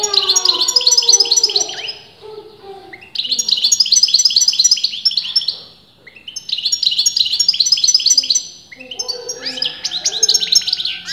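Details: Continuous goldfinch song from a bird breeders could not agree was male or female: three-second bursts of fast, tinkling chatter and buzzy trills, separated by short pauses, with softer lower notes underneath.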